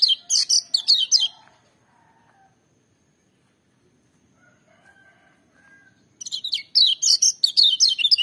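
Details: Lemon-bellied white-eye, the yellow kecial of Lombok, singing loud and shrill: rapid bursts of high, sweeping whistled notes in two phrases, with a quiet gap between them holding faint lower tones.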